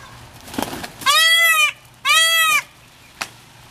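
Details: Two peahens, Indian peafowl, fighting over a peacock during mating season at the L.A. Arboretum in March 2019; two loud, harsh, harmonic honking calls about half a second each, a second apart, with faint rustling.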